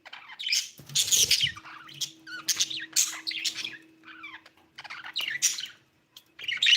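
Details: Budgerigar said to have begun laying eggs, chattering with harsh squawky chirps and rapid warbled notes in quick succession, a faint steady hum behind.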